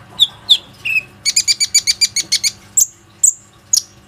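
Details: Plain-throated sunbird, a lively caged bird used to lure other sunbirds into singing, recorded on a phone: sharp high chirps, then a fast train of about a dozen evenly spaced ticking notes, followed by three thin downslurred whistles.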